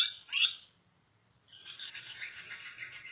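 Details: Gouldian finch in breeding mode, dancing: a sharp high chirp, a short pause, then a soft, hissing, buzzy warble of scratchy high notes.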